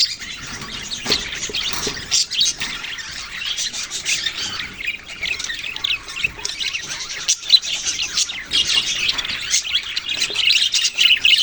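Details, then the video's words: Several budgerigars chatter together: a steady wash of high squawks, rapid twitters and short chirps, growing busier and louder toward the end. "parrot sounds and chirping sounds"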